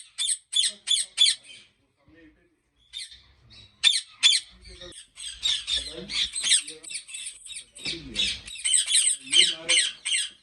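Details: Ringneck parrots kept at a large Pakistani breeding farm: quick series of grating squawks, a pause, then a denser jumble of raspy calls from several birds, with faint low voices in between.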